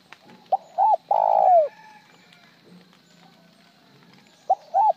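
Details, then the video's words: Spotted dove singing in the style with one broken trailing note or plainly. One phrase, a short note, a double note and a long falling coo, then the start of the next. Steady low hum in the background. "Tiếng chim cu gáy gọi một hậu lỡ , lúc một hậu lúc trơn"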